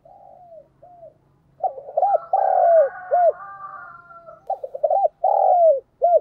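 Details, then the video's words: Decoy spotted dove giving urging and calling coos meant to excite wild doves: soft opening coos, then two loud runs of stuttering, hollow notes, each closing with a drawn-out falling coo. Faint overlapping cooing continues behind. "Chim cu gáy mồi chuẩn thúc & gáy gọi kích bổi nhanh nổi hiệu quả"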